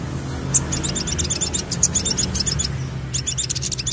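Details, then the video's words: Crested jay calling for a lure: continuous rapid high chattering clicks in two long bursts separated by a brief pause, over a steady low background rumble. "Pancingan Sogon Ampuh Pancing Bunyi"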